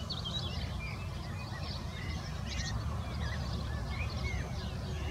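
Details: Several European bee-eaters waking in the morning, stretching, preening and singing, give soft, rolling, liquid 'prruip' notes in scattered, overlapping bursts over a steady low rumble of wind or background noise.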